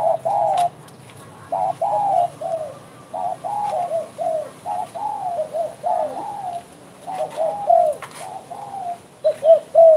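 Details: Spotted dove calling actively, with a steady stream of moderately soft mellow coos in short groups of downturned notes, separated by brief gaps, with a faint high steady tone throughout.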